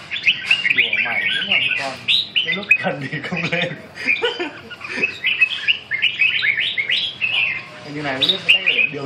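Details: Red-whiskered bulbul that won fourth prize at a Hai Phong singing competition, in an exchange session: quick chattering song of short warbled, rising and falling notes in dense bursts, with brief low human voices in the background.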